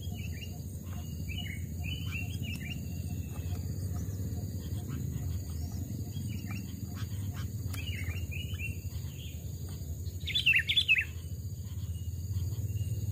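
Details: Sooty-headed bulbul, a caged trapped bird two to three years old, singing in a forest during a vocal test; brief clusters of slurred whistled notes recur, with a louder, sharper burst near the end over low background rumble.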